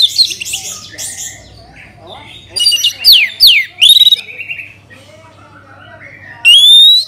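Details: Orange-headed thrush singing as a lure recording to get other birds singing: loud clear whistles sliding down then up, mixed with harsh high squeaky notes, phrases separated by short pauses over a faint low hum.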